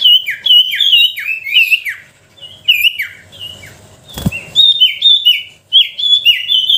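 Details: Sooty-headed bulbul lure song: dense runs of sharp, downslurred whistles, a quieter middle section with a sudden knock, then another quick, ringing burst.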